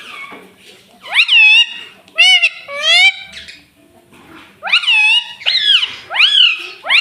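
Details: Pet talking parrot, said to say 'mummy', 'papa' and 'mitthu', indoors: five loud, nasal, harmonic utterances in two bursts, each rising then falling, with a quiet gap in between.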